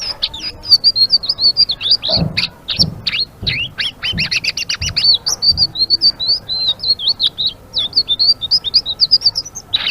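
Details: Blue-winged leafbird (selendang biru) pouring out a rapid gacor ngeriwik song of high warbled chirps and twittering whistles, with several low dull thumps mid-recording and a harsh buzzy burst at the close.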